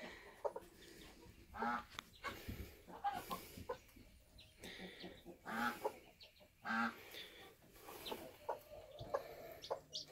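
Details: Bantam hen near a hatching chick on a homestead, giving low, rounded clucks in scattered bursts with pauses between, plus faint high chirps and some background noise.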